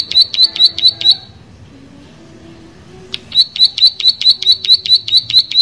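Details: Plain prinia gives a short rapid series of high, sharp, buzzy ticks, pauses for about two seconds, then launches into another fast, evenly spaced run.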